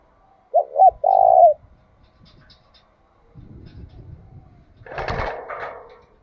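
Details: Spotted dove used as a decoy, cooing one phrase of two short notes and a long vibrating coo, followed by low rumbling handling noise and a louder burst of mixed, noisy sound.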